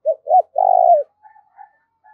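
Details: Decoy spotted dove calling to lure wild doves: two short low hooting coos followed by a longer, slightly falling coo, then faint softer notes trailing off.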